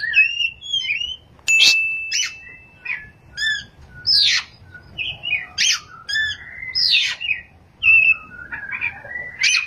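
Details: Singing Oriental magpie-robin, rolling 'ngerol' song with 'nembak' shooting notes: a varied run of crisp whistles, slurred chirps and a held high tone, delivered in quick separate bursts with brief pauses.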